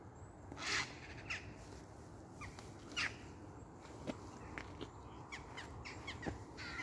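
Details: Crows attacking a heron over the Sankey canal: harsh, broadband caws come in short irregular bursts, a few loud and others fainter, over a steady low rumble of wind and outdoor noise.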